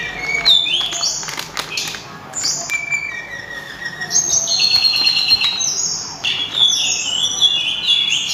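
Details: Sulingan, also called tledekan gunung, singing loud, clear and melodious: a run of high pure whistled notes, some level, some gliding down, with brighter trilled phrases toward the end.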